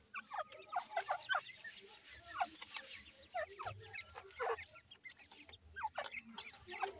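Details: Breeding-season grey francolin female feeding chicks; thin, high peeping notes repeated at irregular intervals over a low murmur, with brief clicks and soft clucking sounds throughout.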